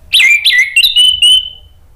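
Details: Orange-headed thrush song used as a lure (pancingan) to make other thrushes answer and sing, and as therapy for birds that stopped singing: loud whistled notes that rise then slide down, ending in a long, level, fading whistle.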